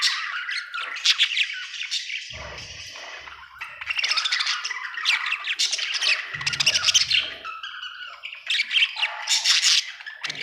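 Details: A cheerful budgerigar chirps and chatters in bursts, mixing scratchy warbles, high squeaky notes and short squawks, with a few soft low knocks in the background.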